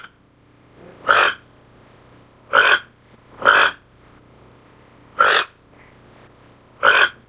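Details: Toco toucan giving loud, hoarse croaking calls, single harsh grunts repeated about every one to two seconds, five in sequence with quiet pauses between.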